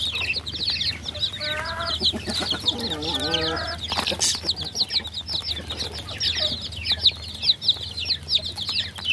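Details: A group of baby chicks calls without pause, making many thin, high cheeps that overlap. Partway through come a few lower, drawn-out tonal sounds with a wavering pitch.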